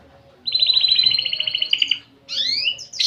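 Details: Canary in full song with a unique style of phrasing: a steady, rapid, even trill of high notes held about one and a half seconds, then a pause and a burst of bright rising sweeps and chirps.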